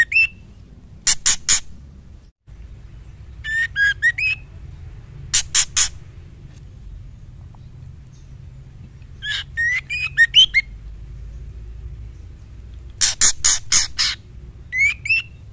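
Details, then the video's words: Female white-rumped shama calling the male: scattered groups of harsh rasping notes mixed with short upslurred whistles, spaced by quiet gaps over fifteen seconds; faint low background rumble and steady high hum. "Murai betina gacor memanggil jantan"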